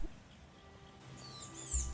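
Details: Nelicourvi weavers near a forest lodge office in Madagascar in September give thin, very high chirps that sweep up and down during the final second, over a steady low rumble.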